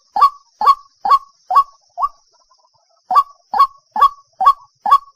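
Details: Waterhen lure call with repeated sharp nasal 'kwak' notes, a softer fifth note, a quiet gap of about a second, then five more evenly paced calls.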